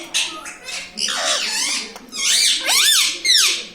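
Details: Talking pet parrot mimicking mummy and papa in a room: a run of high, harmonic, rising-and-falling vocal syllables in separate bursts, some swooping down and up like two-part words, with faint room noise between.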